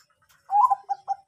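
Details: Bangkok-type zebra dove song used as a lure to prompt birds to sing: a brief burst of soft, mid-pitched cooing notes, a longer blurred coo followed by two short separate coos.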